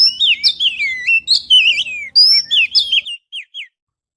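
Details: Oriental magpie-robin song played as a lure to draw in birds, recorded with a GoPro Hero: quick run of varied whistles, swooping slurs and chirps, loud and clear, thinning to a few short rising notes before fading out.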